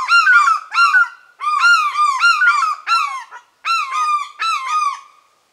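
African fish eagles give loud, ringing yelps in quick bursts of four or five harsh, arched notes, repeated with brief pauses; no other sounds.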